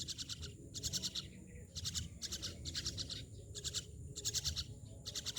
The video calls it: Myna birds